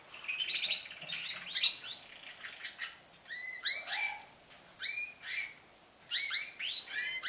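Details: Canaries just starting their song season, singing more often and for longer: bright, fast bursts of twittering notes and rapid trills, high phrases repeating every second or two, with more than one bird chiming in.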